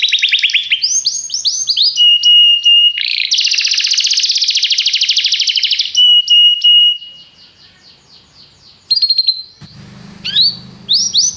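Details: Canary singing in a training recording, mixing steady whistled tones, a dense buzzy rolled trill and quick chips; the song pauses near the end where a low hum is heard before rising sweeps return.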